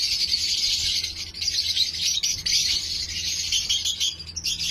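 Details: Lovebirds kept as a breeding colony fill the air with a continuous shrill, chirping chorus from many birds at once, with a faint low hum underneath throughout.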